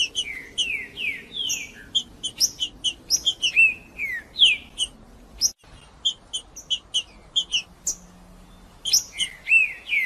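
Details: Male green-winged saltator singing, recorded to warm up other birds into song; loud whistled phrases of sliding, descending notes mixed with sharp high chips, delivered in bursts with a short pause midway.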